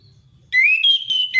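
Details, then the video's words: A single ringing whistled phrase from an orange-headed thrush in ngeplong ngalas style, used as a lure for a reluctant singer: a note sliding upward, then sustained higher whistles, preceded by a low murmur. "Anis merah ngeplong ngalass"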